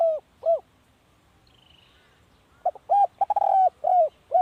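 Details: Decoy spotted dove cooing: two arched coos, a pause with a faint thin whistle from another bird, then a quick burst of clipped notes, a long level coo and two more arched, dropping coos.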